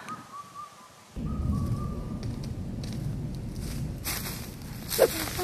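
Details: Indian cuckoo singing in the mountains on a cool, breezy day: a few clear, whistle-like notes at an even pitch, like someone whistling, then wind and rustling take over with a sharp crackle near the end.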